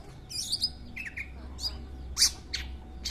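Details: Captive long-tailed shrike singing a varied sequence of harsh, scratchy high notes mixed with short whistled phrases and one loud rasping burst, with steady low hum behind.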